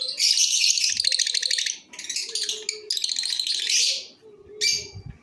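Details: Cobalt masked lovebirds producing long, dense bouts of harsh, rattling, high-pitched chatter, broken by short pauses and ending in a brief squeaky burst.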